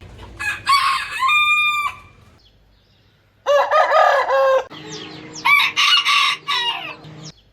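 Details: Crows of a rooster from a mixed rooster-crow collection: three loud bursts, the first with a long level tail, the later ones broken into choppy segments, with a faint steady low tone beneath the last.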